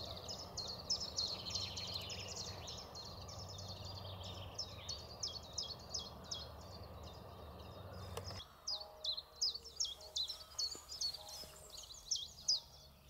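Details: A Common Chiffchaff, one of many newly returned, in the Zouweboezem, Netherlands, sings a steady string of high, sharp notes alternating up and down, about two or three a second; a low rumble fills the first half.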